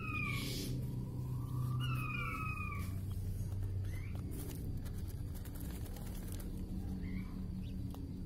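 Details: A king quail (puyuh batu) lure call used for trapping: a few thin, falling whistles in the first seconds, then fainter ones, over a steady low rumble.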